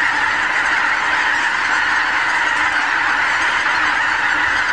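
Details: Thousands of wild geese gathering on Lower Rhine pastures one morning, Canon HV20 camcorder recording; close, dense chorus of nasal honking, steady throughout with no quiet gaps.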